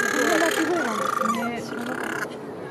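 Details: Two little penguins at St. Kilda breakwater, Melbourne, in April 2018, back from a day fishing at sea, sing to each other with harsh, wavering, braying calls that rise and fall and grow louder. A man's voice is heard over them.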